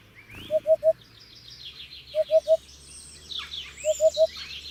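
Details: Three evenly spaced triplets of low, hollow hoopoe notes, 'oop-oop-oop', about one and a half seconds apart. A dense wash of high songbird twittering sits behind.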